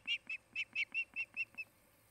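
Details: Osprey at a nest near Charlo, Montana, on a nest camera in the afternoon of 8 August 2018; eight sharp, high whistled chirps repeated quickly over under two seconds, each note short and even, with a faint steady background hum.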